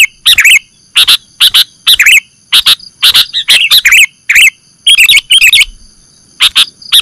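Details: Sooty-headed bulbul, or kutilang, calling in a bird-catching lure recording: short clustered chirpy phrases about every half second, bright and slightly buzzy, over a faint continuous high whine.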